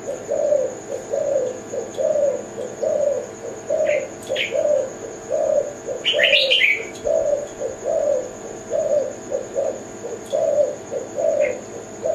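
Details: Zebra dove of the Kelantan type: soft low cooing in short rounded notes, about seventy a minute and unevenly spaced, with brief higher chirps from another bird and a steady high whine behind.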